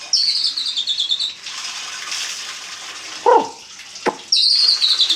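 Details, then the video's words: White-rumped shama in a cage at dawn, singing in ngeplong style: high, thin whistled phrases that slide downward open and close the passage, with a rushing, water-like background and two dull knocks between. "Murai Batu Ngeplong buka tutup sangkar langsung gacor | Burung Murai Gacor Subuh Subuh"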